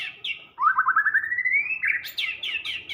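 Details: White-rumped shama singing: a rapid trill of fast repeated notes rising steadily in pitch, followed by loud, clear whistled phrases that slide downward, over a low background hum.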